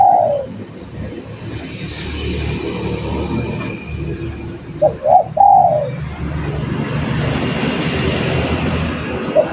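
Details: Spotted dove singing steadily, used as a lure recording: a short low cooing phrase at the start, then a stuttered coo-croo-crooo phrase near the middle, over steady low hum and background rustle.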